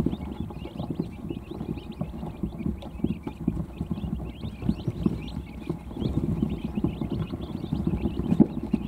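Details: Dense, steady chorus of thin high peeps from several newly hatched quail chicks jostling for position under a brooder heat plate before a nap, over constant low scuffling and shuffling.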